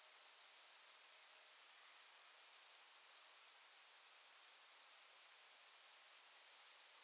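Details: Bohemian waxwing calls: a pair of short, high, ringing trills, then a longer buzzy trill after a pause, and one more a few seconds later. The surroundings are quiet.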